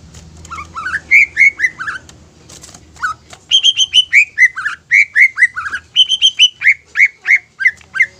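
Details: Greater green leafbird in energetic song meant to spur other leafbirds into singing, fast repeated slurred whistles and clusters of level high notes, with faint low rumbling early on.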